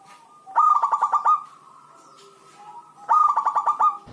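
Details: Zebra dove, a local bird singing well, played to draw other zebra doves into song; two rolling bursts of rapid, stuttering coo notes about two and a half seconds apart, with a faint hum between.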